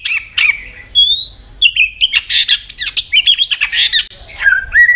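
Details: White-rumped shama, a caged bird singing competitively with many voices: dense burst of loud whistles, harsh buzzy notes and rapid slurred chatter, varied and near-continuous, ending in a falling whistled phrase.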